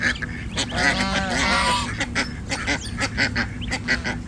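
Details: Village farm goose in India, gosling aged six days present: one drawn-out nasal honk lasting about a second, followed by a run of quick clicking and tapping sounds over a constant low background hum.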